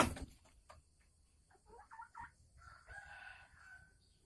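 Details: Caged Sumatran red junglefowl hen in December, calling with a 'ngekek' cackle as she prepares to lay eggs: a sharp knock, then short harmonic clucking notes, then a longer drawn-out call against quiet background hiss.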